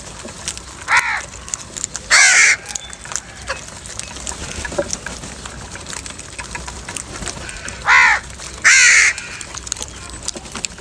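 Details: Crows fighting over food in the morning: four harsh, downward-arching caws in two pairs, near 1 and 2 seconds and again near 8 and 9 seconds, separated by a long quiet stretch with faint clicks.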